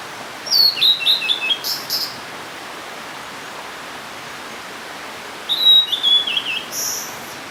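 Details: Blue-and-white flycatcher song: two high whistled phrases, each a run of sweet slurred notes falling gently in pitch, separated by about four seconds of quiet hiss.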